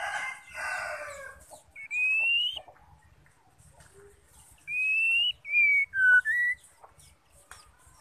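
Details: Female white-rumped shama calling to stimulate singing in males: a harsh buzzy opening, a rising whistle, then after a pause a quick run of three or four clear whistles falling in pitch.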